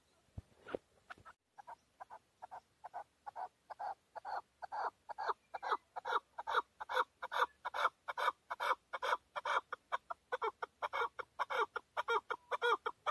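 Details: Male chukar partridge in Tajikistan, 2020, giving a long series of hoarse, clucking chuk notes, steady at more than two per second and swelling in loudness as the run goes on.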